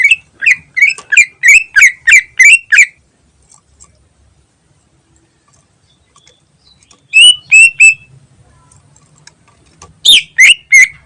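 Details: Greater green leafbird singing a 'ngentrok' style lure song: a fast run of about nine sharp, buzzy notes repeated roughly three per second, a pause, then short bursts of rich harsh whistles.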